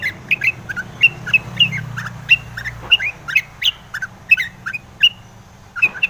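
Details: Long-tailed shrike in full song, used to draw other shrikes into singing and agitation: rapid, uneven series of short sharp chirps and little slurred notes, roughly eighty per minute, with a soft low rumble underneath.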